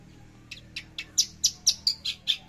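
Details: Javan bush lark, 13 December 2022: a run of sharp high chirps that grow louder and come roughly every quarter second, part of its trotol-style song.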